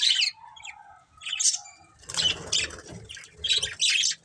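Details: Budgies give short high chirps and squeaky notes, then break into busier overlapping chatter with some soft low rustling underneath.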